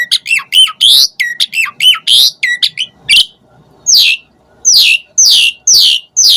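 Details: Asian pied starling delivering rapid harsh squawking notes with hooked whistled tails, then a pause and a series of about six loud, rough, downward-sweeping squawks spaced roughly half a second apart.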